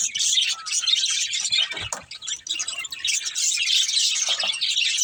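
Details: Budgerigars playing together give a rapid, overlapping stream of high chirps and twitters, dipping briefly in the middle around a low thump before resuming fully.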